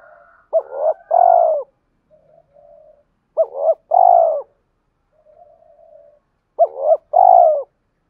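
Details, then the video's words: Spotted dove cooing as a decoy to provoke fighting and to call a mate, aimed at wild-caught birds that refuse to coo: three rhythmic phrases about 3 seconds apart, a stuttering double note, then a long, mellow coo, with quiet murmuring notes between. "tiếng cu gáy mồi thúc đấu và gáy gọi hậu hai"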